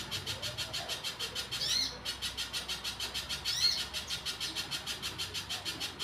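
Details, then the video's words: Little spiderhunter in full song, pouring out repeated sharp chips at a steady quick pace, broken twice by short swooping whistles. "pijantung pisang gacor"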